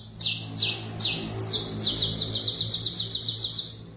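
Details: Canary starting with three separate, downward-sweeping chirps, then breaking into a rapid, even, high-pitched rolling trill that carries to the end. A faint low hum sits beneath.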